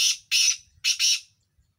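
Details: Partridge (teetar) kept as a home hobby bird, giving four loud, harsh, rasping bursts in two quick pairs, each burst grating and noisy, with a short gap between the pairs and faint low rumble beneath.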